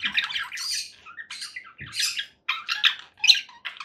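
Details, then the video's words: Loud, raspy conure parakeet squawks in dense bursts, each harsh note lasting a fraction of a second, repeated several times per second with brief pauses, in what sounds like an indoor setting. "conure parakeet sounds"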